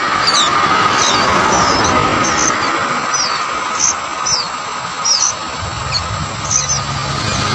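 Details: Sooty-headed bulbul chick begging as a parent brings caught cicadas and butterflies: quick high downslurred squeaks in irregular bursts, set against a constant hum and broadband noise.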